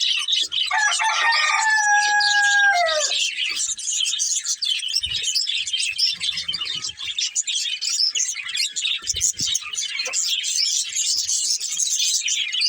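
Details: Breeding pair of budgerigars chattering nonstop in dense, high, scratchy warbles and rapid chirps; a rooster crows briefly near the start with a drawn-out harmonic call.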